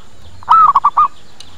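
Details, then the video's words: One zebra dove lure phrase used for attracting birds: a drawn-out wavering coo, then three brief coos, over a quiet background. "Suara PIKAT PERKUTUT Cepat Pada Datang dan Nyaut"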